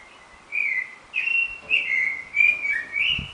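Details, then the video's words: Clay-colored thrush, the yiguirro, serenading before sunrise at 4:14 am, 9 April 2009: five mellow, warbling whistled phrases in quick succession, some rising and others falling, with a faint low thump near the end. "Serenata al alba de un yiguirro"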